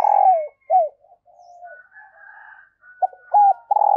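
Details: Female dove calling to stimulate males: strong coos falling at the end, then a drawn-out softer tone and faint higher notes, before clipped, rapid coos return loudly at the close.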